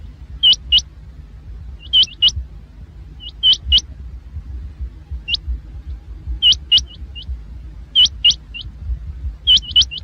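Rain quail giving sharp, high, metallic notes in quick pairs or triplets, repeated every second or two, over a low background rumble.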